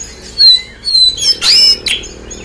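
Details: Oriental magpie-robin song used as a lure to prompt a quick response from a bird that has finished moulting: high, sweet whistled phrases with sliding notes, broken by a harsh, broad, scratchy burst.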